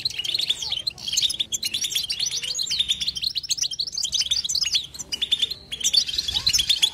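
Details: Goldfinch twittering song, batbata, delivered without silence: rapid jangling chirps and trilled phrases flowing continuously, with a short lull just before five seconds.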